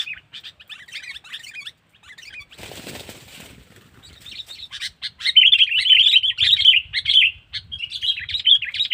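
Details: Sooty-headed bulbul calling as a lure to draw in wild birds: scattered high chirps, a burst of wing flapping, then a loud, sustained stream of rapid, bubbling chirps.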